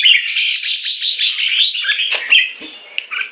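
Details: Singapore-kept Red-whiskered bulbul in molt delivers an unbroken, dense, chattering warble. It fades into scattered softer chirps toward the end.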